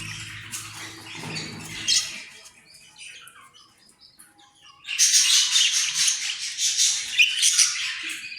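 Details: Australian parrot calling in rough, broadband squawks, a quieter stretch in the middle, then a loud sustained bout of grating calls.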